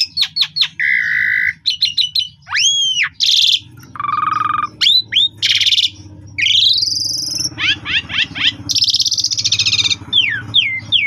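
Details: Asian pied starling singing energetically in the afternoon, a lure recording used to train young birds, full of varied fills: rapid clicks, upslurred and arched whistles, buzzy bursts and harsh rasping notes in quick succession, with a low hum beneath.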